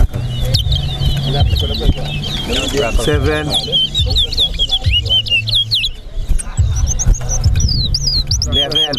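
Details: Competition towa towa, the chestnut-bellied seed finch, at Linden, Guyana, pouring out a long run of quick whistled, warbling notes for several seconds, then thinner high slurs, while a crowd talks and music plays underneath.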